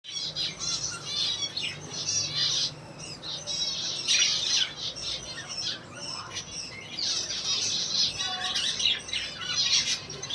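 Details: A pair of white budgerigars chatter continuously with rapid, scratchy warbles and sharp high chirps.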